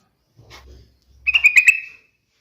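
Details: Yellow-vented bulbul: after a faint low rustle, a short warbling run of liquid notes ending in a drawn-out whistle.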